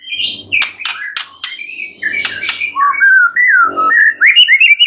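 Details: Master recording of a white-rumped shama, full of fill-ins: a burst of dry clicks, then a run of clear whistled phrases that dip and rise, ending in quick high notes.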